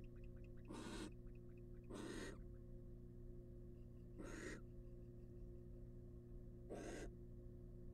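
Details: Wild female barn owl incubating eggs in a monitored nest box, giving four harsh, broadband hissing bursts of about a third of a second each, irregularly spaced, over a steady low electrical hum.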